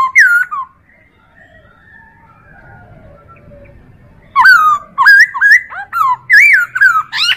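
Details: Chinese hwamei tutor song used to train other birds: a loud slurred whistle opens, then a quiet pause, then a fast run of ringing, up-and-down whistled notes about three per second.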